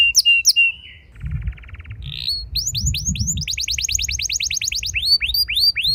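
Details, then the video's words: A canary sings a fast, varied long-rolling song: a buzzy rattle, then rapid runs of bright rising whistles several a second, over low rumble; used as a lure to make other canaries sing. "Burung Kenari Lain Ikut Gacor Ngeroll Panjang!"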